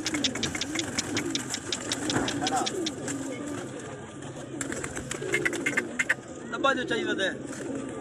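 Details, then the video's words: Domestic pigeons inside their loft, low wavering coos rising and falling repeatedly, with a man talking and shouting over them, occasional sharp clicks, and a faint engine hum in the background. "Pigeons Sound In Pigeon Loft"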